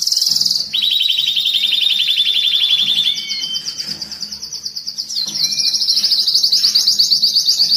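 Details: Excited canary singing, used to stimulate males and prepare females for breeding and to teach young birds: loud very high rapid trills, one falling roll then sustained shimmering rolls at a higher pitch, with short gaps between phrases.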